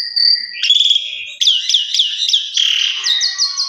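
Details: Asian pied starling, recorded as an indoor lure to get the bird singing quickly: a long steady whistle, then buzzy rasping notes, ending with a quick string of four to five sharp ticking chirps.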